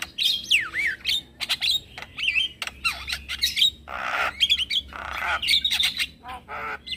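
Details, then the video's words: Calls of a male Javan myna, used to draw other mynas and starlings into replying. Harsh squawks and rasping buzzy bursts alternate with a looping whistled note and scattered sharp chirps. "Semua Jenis Burung Jalak Akan Langsung Nyaut dengar Pancingan Jalak Kebo Jantan"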